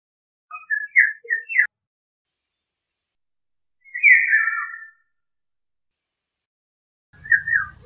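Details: Eurasian golden oriole song: short fluting whistled phrases around the middle pitch, one at the start, a slurred liquid phrase midway, another at the end, with long silent gaps and a faint low rumble near the close.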